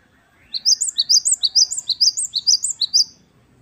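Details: Great tit singing the gacor wucit-wucit kristal song: an unbroken run of about fourteen evenly spaced, high, sharply rising whistled notes lasting two and a half seconds, over a faint low background hum.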